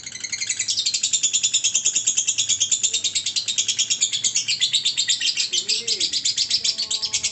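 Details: Lovebird ngekek with a long duration, a steady stream of harsh, high-pitched pulses repeated quickly, with a brief faint voice behind it.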